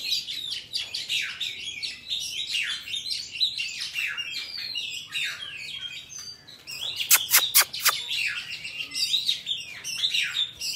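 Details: Oriental magpie-robin in wild forest voice, kept for tutoring young birds, pours out a rich, fast medley of whistled and chattering phrases; a burst of sharp clicking strikes near the seventh second.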